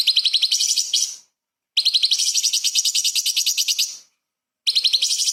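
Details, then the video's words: Light-vented bulbul in 'tembakan' style, a tutor recording for murai and kacer songbirds: long, bright rattling trills of rapid clicking pulses, each over a second, with short silent breaks between them. "CUCAK CUNGKOK SUPER GACOR ! Full Isian TEMBAKAN ISTIMEWA BURUNG KECIL Untuk Masteran Murai Kacer"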